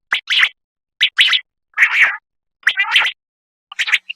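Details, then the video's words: A common quail sings its liquid three-part phrase, a short note followed by a quick double, repeated five times at about one-second intervals with silence between. "Quail singing AWAZ ,Quail sound"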